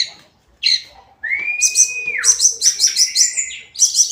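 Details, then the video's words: Hill blue flycatcher, locally tledekan gunung, in daily song: a long level whistle that slides downward, followed by a fast even series of high, ringing chirped notes. "Kicauan harian Tledekan gunung"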